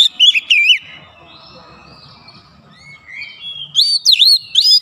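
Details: White-rumped shama song played as a lure to rile up other shamas; loud swooping whistled phrases open, a quieter stretch of thin rising whistles follows, then bold looping whistles return at the end.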